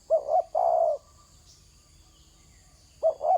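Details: Spotted dove on the ground giving a hollow phrase of two brief coos and a sustained third coo, then silence before the next double coo begins, with a faint steady high-pitched hum behind.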